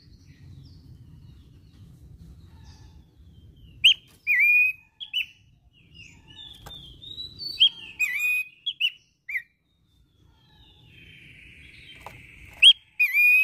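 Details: Pelanduk semak, or Abbott's babbler, singing strongly with a sound likened to hillside scrub: low rumbling background at first, then whistled phrases of slurred notes, ending with a long even buzzy trilled note and a final whistle.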